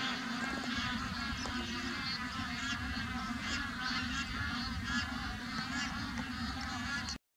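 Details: At Pong Lake, bar-headed geese honk in a steady, overlapping chorus of nasal calls from start to finish, over a low background rumble.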